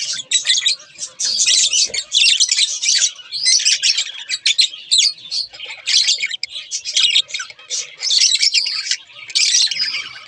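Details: Pet budgerigars in a pair give bursts of bright, chirpy warbling, fast twittering phrases of a second or two separated by short silences.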